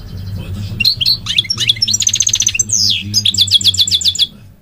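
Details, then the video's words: Goldfinch in full song, tumbling twittering notes, a nasal buzzy trill and quick repeated metallic phrases, roughly four notes a second, with low hum beneath. "The elegant migratory goldfinch sings the most beautiful singing"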